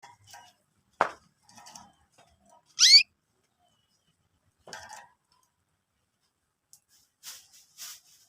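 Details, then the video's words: Young canaries, recorded as lure material, give a few scattered short chirps and one bright, sharply falling whistle, with soft clicks and quiet gaps between. "the chirping sound of young canaries"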